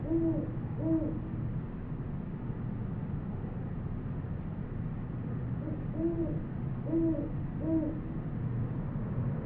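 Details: Field recording from New Mexico of a great horned owl, made with a Sony PCM D100: two low hoots at the start, a pause, then three more deep hoots near the end, with constant low background hum.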